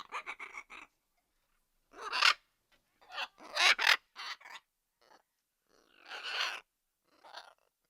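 A macaw gives harsh, raspy squawks in bursts of under a second, opening with a quick stuttering chatter, then louder screeches spaced a second or so apart.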